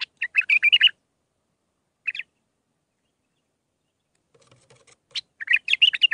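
A bulbul sings bright, jumbled phrases of quick chirps and warbles, in short bursts separated by pauses; a faint knocking is heard in between.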